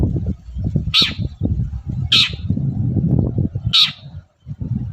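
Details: Long-tailed shrike singing vigorously in the morning, used as a lure to make other shrikes answer: three brief, harsh, high notes about a second apart, over a steady low rumbling background.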